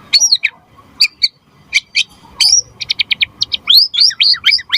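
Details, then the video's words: White-rumped shama singing energetically, used to set other shamas singing and as a tutor recording: spaced sharp chirps give way to a rapid series of short clicks and then a run of quick upslurred whistles. "Suara Murai Batu Gacor Biar cepat BUNYI Auto NYAUT buat Pancingan & Masteran Burung Murai"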